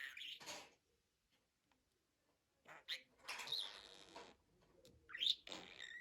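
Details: Budgerigar giving a short scratchy burst, then falling silent for about two seconds before resuming with raspy warbling and a few high, sharp squeaks.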